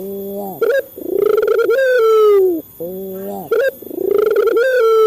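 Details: Repeated cooing of a local male Barbary dove played to coax caged birds into calling: a low wavering note, an upward flick, then a throbbing coo that settles into a long descending tone, twice over.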